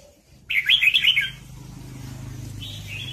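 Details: Red-whiskered bulbul at a trapping site during a fight, one short burst of quick warbling notes followed by a low hum and a fainter whistled phrase.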